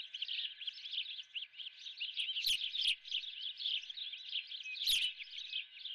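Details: Osprey at the Dunrovin nest, breakfast of a live golden fish; steady rapid chirping whistles continue throughout, with two sharp clicks.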